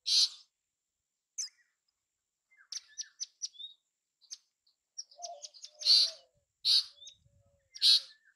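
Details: Bay-backed shrike giving loud harsh rasping bursts between scattered sharp chirps, short falling whistles and a brief low warbled phrase.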